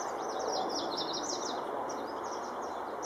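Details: Yellow warbler singing on an April 30 morning at Jamaica Bay Wildlife Refuge, New York City: a rapid run of high, sweet slurred notes, then a fainter phrase, over a steady rushing background hiss.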